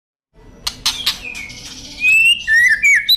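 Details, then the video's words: White-rumped shama in energetic song used as a master recording for training: a few sharp clicks, then clear, loud whistled notes that slide and twist, with a low hum beneath. "Masteran murai batu gacor"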